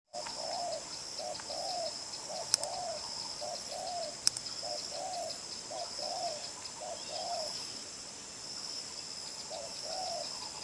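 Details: Spotted dove of the đồng pha chân cua strain, a strong cooer with a lively manner, driving coos with a trailing note: soft paired low coos, a short note then a longer falling one, repeated steadily under a loud high insect-like hiss with two sharp clicks.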